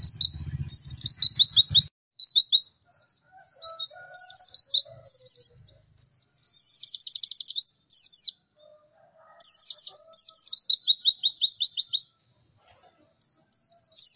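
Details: Training song of a white-eye: bursts of high, quick chirps and rattling trills of downslurred notes, separated by short pauses, with a brief low hum at the start.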